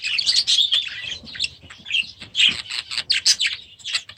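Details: Young budgerigars in a new aviary chatter continuously with warbling, scratchy chirps and quick high squeaks, several birds overlapping throughout.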